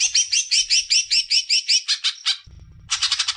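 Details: Greater green leafbird song played to spur young birds into singing: a fast series of dense, buzzy, high chattering notes, about two or three a second, breaking off briefly before a quicker burst resumes.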